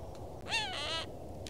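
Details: Cooper's hawk giving a single harsh, nasal call about half a second long, with rich harmonics and a slightly falling pitch, over steady low background noise.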